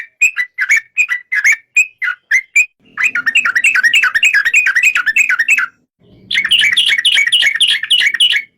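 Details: Yellow-vented bulbul singing: loud bubbly whistled notes repeated rapidly, first in short separate bursts, then in a long continuous chattering run, a pause, and another fast run of wavering phrases.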